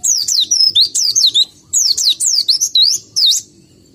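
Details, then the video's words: White-eye (pleci), a cage bird described as lacking breeding drive; loud, rapid high-pitched phrases of downslurred whistles in quick series, broken by a short pause. "BEGINILAH BUNYI PLECI KURANG BIRAHI atau KURANG KENCENG"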